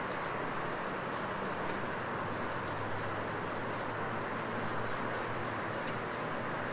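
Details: A night forest after rain gives a dense, even wash of broadband hiss with a low hum underneath, and no clear animal call.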